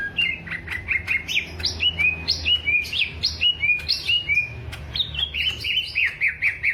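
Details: Greater green leafbird of the Alas Purwo strain, Banyuwangi, in a mental test, pouring out a continuous run of rich whistled notes, many sliding upward, roughly one and a half per second, over a low hum.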